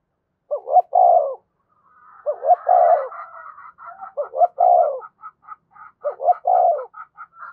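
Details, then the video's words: Spotted dove calling and provoking rivals, repeating a phrase of two short notes and a long soft coo about every two seconds, four times, while another bird chirps higher in the background. "tiếng cu gáy thúc và gáy gọi"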